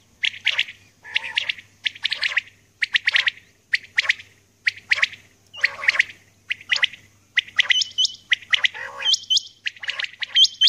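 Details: Common quail female calling at dawn: dense run of harsh, clipped bursts repeated almost every half second. Thin, high, hooked whistles from another bird break in near the end, and a steady low hum runs underneath.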